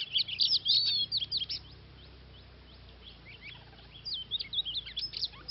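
Oriental magpie-robin singing rich, varied whistles and quick slurred phrases in two bursts, high and clear, with a pause between and a faint low hum beneath.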